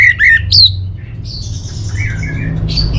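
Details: Orange-headed thrush, a contest songbird from North Bali, gives two loud, buzzy squawks and a high rising note, then softer wavering whistles and a thin high whistle, with low hum underneath.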